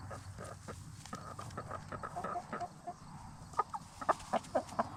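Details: Backyard Black Star and Bielefelder hens in a movable chicken tractor at dusk; low murmuring clucks, then a run of sharper, evenly spaced clucks near the end against a constant background hum.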